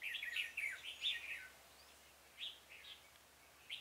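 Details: Decoy red-whiskered bulbul luring wild birds at a trap, recorded 26 February 2018; a lively chattering warble opens, then two brief chirpy notes and a final short phrase follow after a pause.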